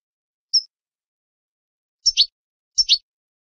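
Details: European goldfinch song, meant for training birds: one thin high whistled note followed after a pause by two scratchy, buzzy twin notes less than a second apart, in clean silence.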